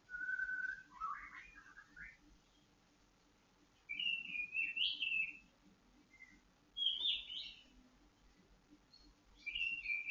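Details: White-rumped shama kept for conditioning to steady its temper and breeding drive: clear whistled phrases of slurred, warbling notes in short bursts separated by pauses, some rising and falling, in a quiet room.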